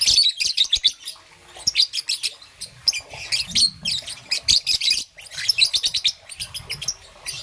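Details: A young green-and-yellow rosy-faced (peach-faced) lovebird chirps in the morning almost nonstop in shrill, high, scratchy bursts, several per second, with brief pauses between runs.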